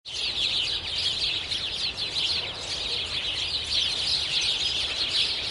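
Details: A flock of sparrows in spring on a street chirps nonstop, many high, short cheeps overlapping into a busy chatter, with faint street noise underneath.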